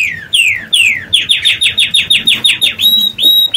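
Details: Singing canary among birds building their nest to lay eggs: a quick run of about a dozen bright whistled notes, each sliding down in pitch, repeated several times a second, ending in short high whistles.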